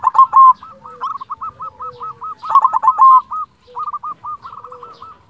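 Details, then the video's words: Persistent song of a local silver zebra dove: fast series of clipped, curling coos, two louder stuttering bursts in the middle, then more rapid short notes trailing off. "Perkutut silver gacor"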